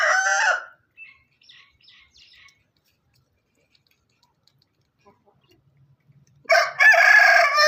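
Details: Rooster crowing on a farm: the loud, harmonic tail of one crow ends within the first second, a few faint soft notes follow, then another strong crow begins near the end.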